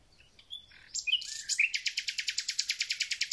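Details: Spring song of a thrush nightingale. Scattered varied chirps and sharp notes build into an accelerating string of about twenty loud, evenly repeated, rattling pulses.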